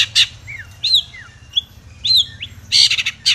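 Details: Long-tailed shrike, full of mimicked song, singing aggressively toward a rival: sharp downslurred and upswept whistles alternate with short harsh rasps, with gaps between phrases and a low background hum.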